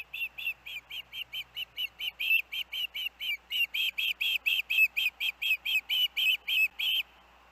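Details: Osprey at a Hellgate nest with its young siblings on 23 August 2024, after dangerous winds earlier that day: a long run of sharp whistled chirps, about four per second, growing louder after two seconds, roughly twenty-eight notes.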